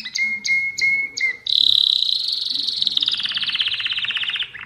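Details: Mosaic canary singing: a few short repeated whistled notes, then a long bright trill that slowly falls and turns into a fast buzzy rattle.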